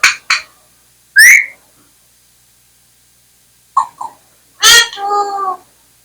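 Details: Indian parrot, a talking pet, makes sharp clicks, a rising whistled swoop, then a burst and a nasal drawn-out word, in a quiet room.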